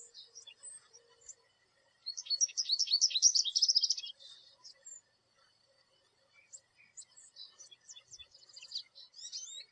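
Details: An American goldfinch perched in a backyard tree gives a two-second burst of rapid, high, sweet twittering, then scattered thin chirps and squeaky notes. No other sounds stand out.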